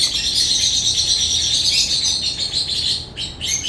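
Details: African lovebirds keep up a steady stream of high, overlapping chirps and twitters, thinning briefly near the end, with a faint hum beneath.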